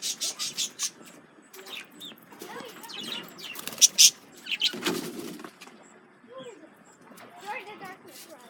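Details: Pet male budgies reacting to a lemon cucumber, giving rapid high chirps and scratchy chatter in bursts, with a louder harsh note midway and softer warbled notes after.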